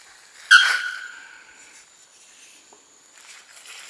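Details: A young male Bare-throated Bellbird singing at Porto Seguro, Bahia, north-east Brazil, in November 2012, gives one loud, ringing metallic note that fades over about a second; faint background rustles follow.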